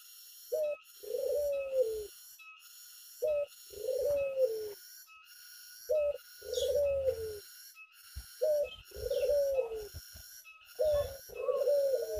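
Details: Cooing of a tame Barbary dove kept in the open air: paired notes, a brief coo then a drawn-out, gently descending rolled coo, repeated regularly five times against a constant shrill background hum.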